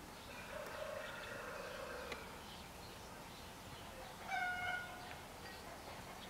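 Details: Eurasian bullfinch uttering a brief, mellow piped note near the end, preceded by fainter, lower soft sounds amid low background noise.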